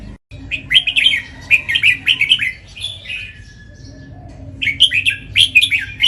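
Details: Red-whiskered bulbul, a contest singer with the doubled 'เบิ้ล' style performed at home and on the competition rail. Bubbling whistled phrases come in two lively runs with a pause between, over a soft low-frequency hum.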